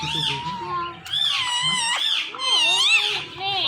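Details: A pet Indian ringneck parakeet talking, said to say Mittu; loud, continuous, speech-like harmonic phrases with rising and dipping bends, a brief drop at one second, then more drawn-out wavering syllables.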